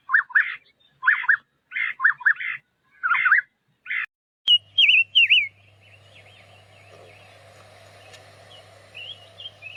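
Paddyfield pipit giving short, chirpy double notes repeated about twice a second, then thinner wavering whistles over a low steady hum.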